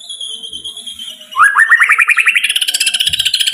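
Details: White-rumped shama singing: a long steady high whistle, then a quick series of short rising notes that speed up into a rapid rattling trill.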